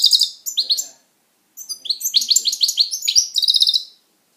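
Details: A pet European goldfinch in song, with two short tinkling phrases, a brief pause, then a longer flowing sequence of rapid, high, trilling twitters.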